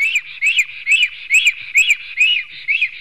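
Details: Latvian black stork nest, Sigulda municipality, 10:43 am, 11 June 2020, where two males fought beside a female; loud, evenly spaced rising-falling wheezy notes, about seven in three seconds, each topped by a thin high click.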